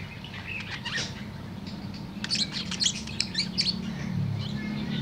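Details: Afternoon song of a tame budgerigar: a few scattered chirps, then a dense cluster of quick high twitters midway, fading to softer notes above a constant low drone.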